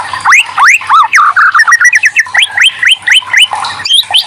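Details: White-rumped shama singing to stir other shamas into song: a run of loud rising whistled notes, about four per second, mixed with a few sharper chips and brief buzzy fragments.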